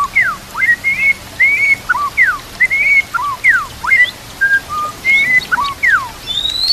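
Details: Murai batu training song over a background of running water: clear whistled phrases, downslurred and upslurred notes and short pure tones, delivered in quick varied sequence with steady water noise throughout.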